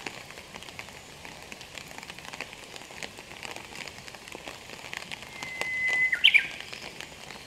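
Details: A male Japanese bush warbler, rain-soaked in the mountains of Aichi, Japan, on 4 July 2022 after the rainy season ended, gives a long, steady whistle with a quick, bright flourish near the end, over a hiss of rain.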